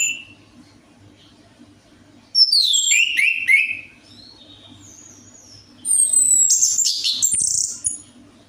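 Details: Orange-headed thrush (anis merah) song played to prompt a quiet bird to sing: two long, varied phrases of high, sweeping whistles, descending slurs and scratchy notes, with low hum between them.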